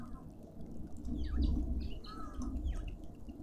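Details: Rapid run of short falling chirps, crowded together for about two seconds, from cut-throat finches competing for food at a suburban garden feeder in Pretoria, South Africa, over a low background rumble.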